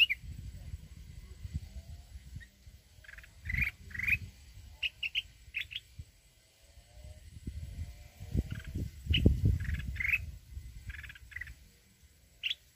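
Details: Wild-style provoking song of a mountain red-whiskered bulbul, kept for trap fighting: scattered short whistled notes and brief warbles spread throughout, with louder low rumbling noise in the middle stretch.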